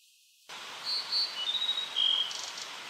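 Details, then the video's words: Tledekan song recorded as training material for cage birds: a series of clear, high whistled notes, some level and some slightly falling, followed by a brief rapid chatter over a steady background hiss. "Masteran Burung Tledekan"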